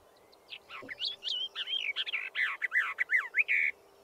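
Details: Song of a Western Orphean Warbler, a shy, scarce summer visitor: a hurried series of rich, slurred whistled notes and repeated phrases over about three seconds, with a more distant bird answering behind.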